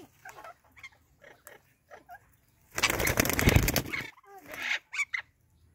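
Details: Indian ringneck parrots greeting each other, short chattering notes followed by a long loud harsh squawking burst, then more clipped chatter calls.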